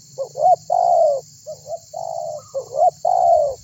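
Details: Lively spotted dove calling others to answer, used for luring: a rapid run of rising notes and broad coos in close succession, accompanied by a low rumbling hum and a high steady hiss.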